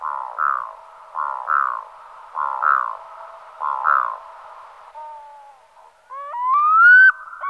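Black-throated loon giving paired, mellow yelping notes about every second, then a clear, drawn-out wail that rises in pitch.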